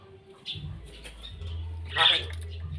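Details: White-vented myna imitating human speech: soft murmured syllables, then a loud harsh voice-like burst near the end, over a steady low hum.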